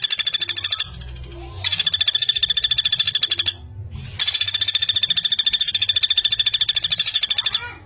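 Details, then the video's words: Rapid, tightly packed rattling of a common flameback, played as training material for young songbirds; three bursts of sharp high notes separated by short quieter breaks. "Pelatuk Bawang Gacor, Masteran Pelatuk Speed Rapat"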